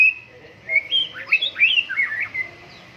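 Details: White-rumped shama singing while set out for morning dew airing. Its loud, sweet whistles twist up and down in quick succession after a brief opening note, with a steady faint hum behind.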